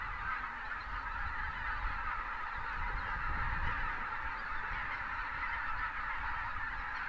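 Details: Thousands of Greater white-fronted geese alongside pelicans taking flight, winter near Uvalde, South Texas; unbroken babble of many honking voices, with a heavier low rumble swelling briefly around the middle.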